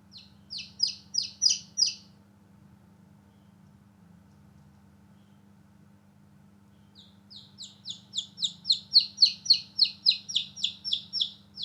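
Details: Newly hatched chicks outdoors at play: a short run of loud falling peeps, several seconds of quiet, then a long steady series of about three to four peeps per second.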